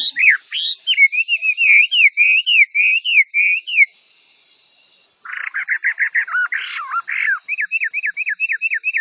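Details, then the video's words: Chinese hwamei song used as tutor recordings for training other birds: a run of quick, repeated rising whistled notes, a brief pause, then a faster stuttering burst and another series of clipped whistles, with a steady high hiss throughout. "Suara Burung Wambi Gacor Joss untuk Masteran"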